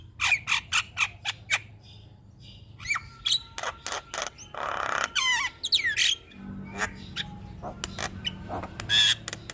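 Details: Javan myna, a constant singer meant for training and luring other birds, gives a run of evenly spaced sharp clicks, then a pause, twisting whistles, a rough rasping burst, and scattered chattering notes.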